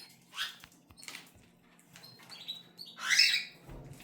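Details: Pet cockatiels giving a few brief scratchy chirps, then one louder, broad, screechy call near the end, in a quiet room.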